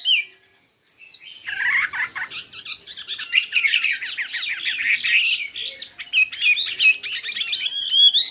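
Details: Fiery, multi-voiced contest singing from a Chinese hwamei: after a short silence, a dense torrent of fast warbles and clipped notes, punctuated by loud high downward whistles every couple of seconds.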